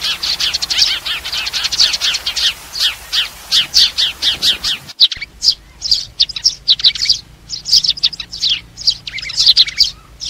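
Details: Flock call of sparrows used to lure them into traps: a rhythmic run of sharp descending chirps, then after a brief cut a looser series of high chirps and short twitters.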